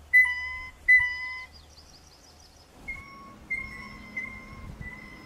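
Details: Blue Jay squeaky gate call, a clear, musical pump-handle call linked to courtship, sometimes a low-intensity threat: two quick short whistled notes, then a run of longer, level notes over a low rumble.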